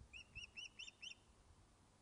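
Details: Osprey back on its nest at Loch of Lowes, Scotland, after being thought lost, fish-calling: a quick run of five high, sharp whistled chirps, evenly spaced, over a faint low rumble.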